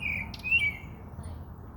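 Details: Bird chirping: a brief run of thin, high, slightly rising chirps over a steady band of high twittering, with a low rumble of background noise underneath.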